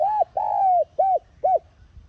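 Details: Spotted dove cooing to trigger decoy birds: a short coo, a long drawn-out falling coo, then two clipped, arched coos, loud and clear against a quiet background.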